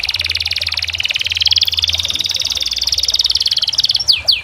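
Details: Canary singing a long rapid rolling trill, evenly pulsed notes held at a steady high pitch for about four seconds, closing with a few sharp downward-sweeping chips.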